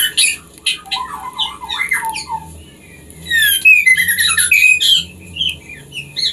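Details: Captive female white-rumped shama singing to stimulate a male into breeding condition; a varied mix of whistled phrases, harsh squawky notes and rapid high twitters in bursts with short pauses, faint low hum beneath.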